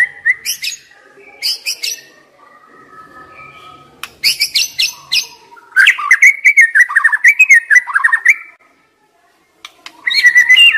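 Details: Song of a white-rumped shama, played to stimulate young wild birds that are stressed and reluctant to sing: varied chattering bursts, then a fast run of rich warbled whistles and a final loud whistled phrase after a pause.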